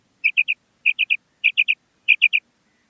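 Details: A female common quail calling: four crisp, bright triplets of whistled notes, each triplet following the last after about 0.6 s, in a very quiet background.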